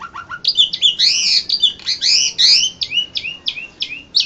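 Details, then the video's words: Asian pied starling, the winning bird of a singing competition in Indonesia, April 2014: rapid high chattering song of harsh squeaky notes and slurred whistles, packed tightly for over four seconds. "JUARA 1 LOMBA KICAU JALAK SUREN INDONESIA"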